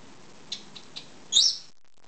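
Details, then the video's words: Two-year-old pet lovebird, female, asking for a head scratch: a few faint soft ticks, then one loud, high, harsh chirp. "Lovebird wants a headscratch"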